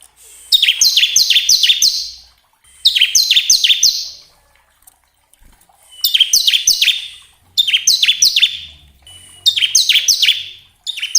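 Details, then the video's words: Bar-winged prinia song used to provoke caged birds to sing: five bursts of four or five quick, high, falling chirps, each burst about a second long and spaced by pauses. "pancingan ciblek agar cepat bunyi"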